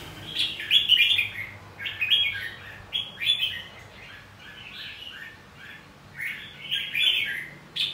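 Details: Red-whiskered bulbul fighting song, played to spur other bulbuls into competitive singing; rapid chattering warbles in bursts of several notes, a loud run early, softer phrases midway, then a renewed burst at the close.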